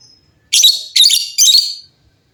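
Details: Lovebird in lively song among many lovebirds calling back and forth: three harsh, buzzy, high chattering bursts in quick succession, each about a third of a second long.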